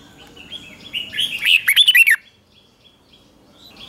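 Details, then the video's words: Red-whiskered bulbul singing at morning training in competition style: soft chatter builds into one loud, fast phrase of several warbled notes, then quiet with a faint hum. "Luyện chào mào hót sáng | chào mào hót đấu"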